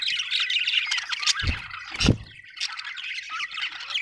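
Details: Budgerigars, described as happy, chirping with dense scratchy warbles and squawks that overlap continuously, a few low thumps between notes.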